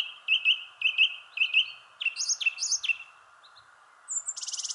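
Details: A thrush singing in a shrubbery tree gives clear whistled phrases, each repeated about three times, then higher, sharper notes, ending with a brief rapid buzzy trill.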